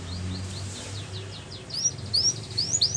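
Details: Canary training song: soft high chirps early, then louder downward-sweeping whistled notes repeated in the second half, with low background hum.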